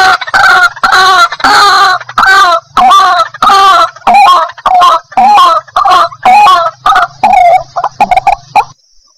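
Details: White-breasted waterhen calling as a lure for trapping: loud, harsh, repeated croaking notes about two per second, hoarse and nasal, gradually becoming shorter and more broken, over a faint low hum.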